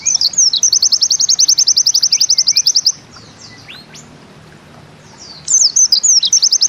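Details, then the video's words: Pleci of the Bustomi type, a white-eye, giving its 'nembak ziperrr' song: a long, rapid machine-gun trill of high sharp notes, a quiet gap, then a fresh burst starting with swooping whistles. "Bustomi NEmbak Ziperrr Mudah DI Tiru"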